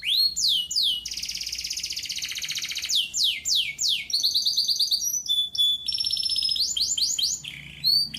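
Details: Canary singing continuously in gacor durasi fashion, mixing falling whistled sweeps, a long harsh buzzy roll, pure steady tones and quick stuttered trills, varied and loud throughout.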